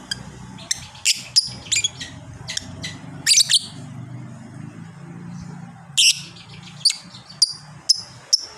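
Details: Lovebird of the fighter type, valued for long ngekek chatter: sharp high squeaky chirps scattered through the stretch, some doubled, with a low rumble of background noise underneath.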